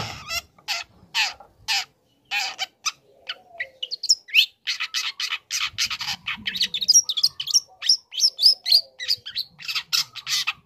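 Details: Young long-tailed shrike singing lure material to make other shrikes answer: grating buzzy strokes at first, then a fast, varied jumble of harsh chirps and squeaky mimicked-sounding notes.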